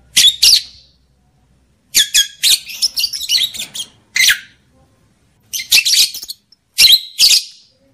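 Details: Lovebird mating-call track meant to heighten male drive and female readiness: shrill rasping squawks in paired and clustered bursts, a longer chattering run in the middle, silent pauses between.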